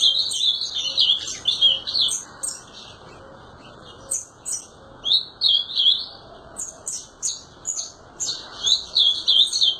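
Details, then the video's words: Ultramarine grosbeak delivering repeated bursts of quick, tumbling warbled notes with crisp high ticks between them, separated by short quiet gaps. "Azulão TERRORISTA Destruindo"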